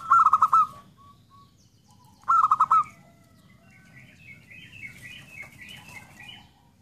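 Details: Zebra dove: two stuttering cooing phrases of rapid pulses, each followed by a faint soft note, then quieter chirping of other birds in the background.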